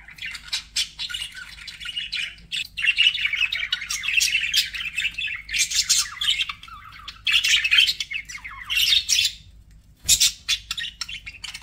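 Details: Pet budgies warbling in bursts, groups of buzzy chirps and squeaky notes separated by brief quiet gaps, with a single sharp click near the end.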